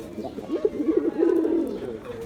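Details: Low, rolling coo from a performing male Giribaz pigeon, one continuous throaty burble lasting about a second and a half, then a soft fading tone.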